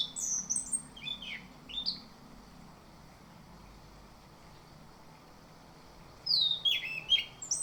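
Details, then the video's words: Orange-headed thrush morning lure song: scattered high whistled notes and slurred chips in the opening two seconds, several silent seconds, then a busier, jumbled run of bright twittering phrases. "Pancingan Anis Kembang agar cepat ngerol dan ngemplong di pagi hari"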